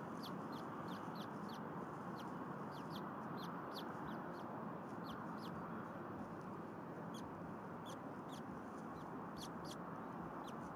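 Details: Bald eagle hatchlings chirping in a nest at Berry College in Rome, Georgia, on an afternoon in February 2021 while another egg is hatching; thin, high, sharp chirps come in quick irregular bursts over a steady loud rushing background.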